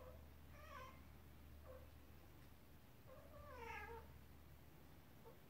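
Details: An indoor African grey parrot addressing a cat makes two rising-then-falling meow-like calls with short clicks between, against a constant low electrical hum.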